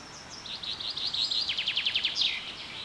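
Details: Spring birds singing at Carrizo Plain National Monument, California, USA, during a super bloom: high buzzy notes leading into a rhythmic string of quick descending chips, closing with a bright slurred note over soft background noise.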